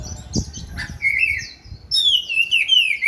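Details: Oriental magpie-robin dancing while it sings: after a few faint chirps, clear whistled phrases slide and waver, some holding steady, others dipping and rising, with a soft low rumble underneath.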